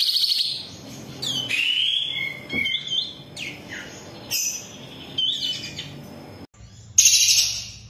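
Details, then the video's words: Training song of a long-tailed shrike for captive birds, with varied whistled glides, dipping notes and scratchy twitters, broken by short gaps and closing with a loud harsh burst. "MASTERAN SUWARA BURUNG CENDET"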